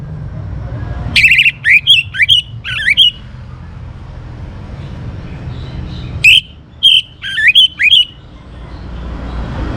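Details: Young orange-headed thrush, kept as a songbird in Singaraja, northern Bali, singing to spur other birds on: two bursts of loud, clear whistled and slurred notes, rising and falling quickly, with quiet gaps and faint background hum.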